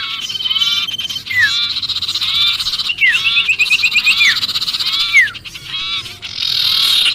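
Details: Sirpu panicking as if trapped, a call used to lure other birds: continuous high chatter with trilled runs and clear down-slurred whistles repeated every second or so.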